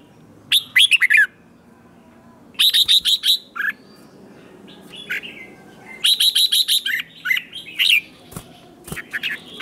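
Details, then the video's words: Red-whiskered bulbul competition song, used to provoke newly caught birds into singing back; bursts of bright, quick whistled and chattering notes, falling at the end of each phrase, in three main phrases with short gaps of silence. "Kích chào mào hót đấu hay nhất,bổi nghe là hót theo"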